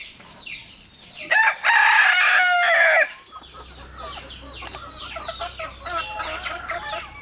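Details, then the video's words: One of three roosters kept with hens crows to communicate with the others: a strong, ringing crow of about two seconds that rises then holds, followed by busy chirping of small wild birds in the background. "Three Rooster Crowing"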